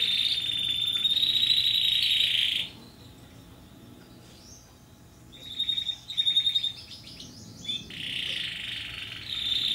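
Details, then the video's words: Timbrado canary in Athens, Greece, 2010, recorded during selection before training: bursts of rolling, buzzy trills near mid-high pitch, separated by a quiet pause, then clipped metallic notes and a renewed trill, over a faint steady hum. "Timbrado 2010 R1 TrainingB"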